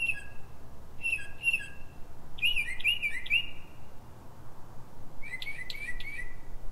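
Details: Pre-dawn song of a Northern mockingbird in Silver Spring, Maryland, USA, 03:44 local time: clear whistled notes repeated in pairs, then a quick run of bouncing chirps, and after a pause a rolling, jumbled phrase of sharp notes.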